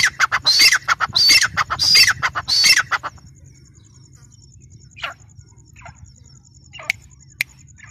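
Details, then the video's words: Grey francolin (teetar), female, calling with harsh rapid repeated notes for about three seconds, then near quiet with only a few faint scattered notes. "gray francoline teetar sound | female teetar awaz"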